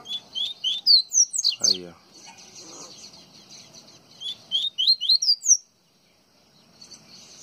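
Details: Double-collared seedeater (coleiro baiano) from Pernambuco, Brazil, singing a phrase of quick rising upslurred notes that climbs to sharp high peaks, pauses, then repeats the rising series.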